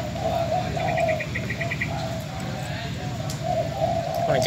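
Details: Spotted dove decoy bird from Bến Tre, old and sold to a new owner, gives soft low coo phrases in a run, while a quick series of high thin chirps sounds in the background.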